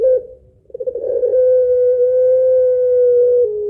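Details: Barbary dove of the pelung strain giving a long-voiced, melodious two-note kuwok song meant to draw in other birds: a short coo, a rolling burst, then a very long even hummed note ending in a small downward step.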